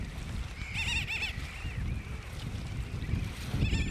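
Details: Brown booby recorded at Johnston Atoll on 16 June 2001, giving a short run of wavering, nasal, harmonic calls early on, followed by fainter drawn-out notes, with strong wind noise throughout.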